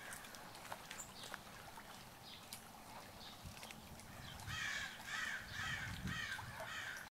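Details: Egyptian goose recorded on May 18, 2014, giving a run of harsh, raspy honks, about five in quick succession, after a quiet opening with faint outdoor background noise.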